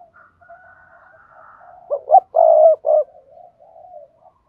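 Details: Spotted dove coo used to stimulate other doves to call: faint drawn-out cooing, then two short rising notes and a longer, loud, steady low coo, with soft cooing trailing after.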